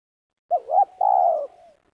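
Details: ['Spotted dove lured for trapping with snares in Liwa, West Lampung, Indonesia, meruas style: one phrase of two quick hooked coos followed by a longer, steadily falling coo that trails off softly.']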